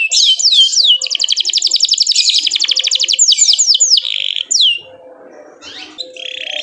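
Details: Canary in full chirping song meant to spur other canaries to sing, with downward-swooping whistles, a long rapid rattling trill, more swoops, then a quieter pause with faint background noise.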